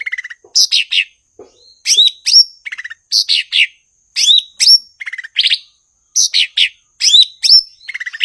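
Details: Cucak ijo, or blue-winged leafbird, singing in full form: a long, continuous sequence of bright whistled slurs that fall in pitch, each set off by short buzzy notes, repeated in regular bursts about every second, with no other sounds.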